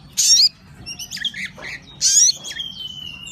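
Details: Crimson sunbird singing energetically: two loud, very high buzzy bursts with twittering warbled notes between them, ending in a long thin whistle.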